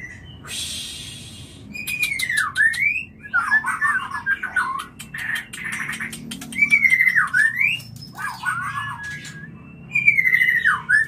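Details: White-rumped shama call used to bring on mating: loud swooping whistles that drop and rise again, repeated about every four seconds, alternating with quick dry clicks and chattering notes.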